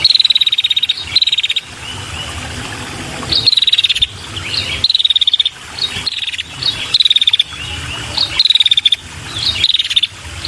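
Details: Female red-headed prinia luring males with short, high, rapid trills that drop slightly in pitch, repeated every second or two, interleaved with sharp chirps over a steady hiss-like background.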